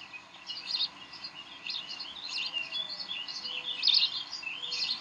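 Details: At the Decorah bald eagle nest on the evening of 18 May 2012, during play: softer, more continuous high twittering with scattered louder squeaks, over a low steady hum.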